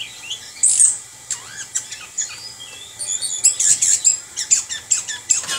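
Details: Orange-headed thrush, a kept bird, singing in the rolling 'ngerol' style: a rapid string of thin high chirps, slurred whistles and sharp clipped notes that grows busier and denser toward the end.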